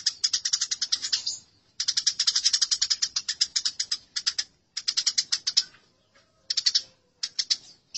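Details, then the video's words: Eurasian tree sparrows in a fight, with dense, rapid chattering in several long bursts of harsh chirps, then shorter clipped bursts near the end. "Masteran Gereja Tarung"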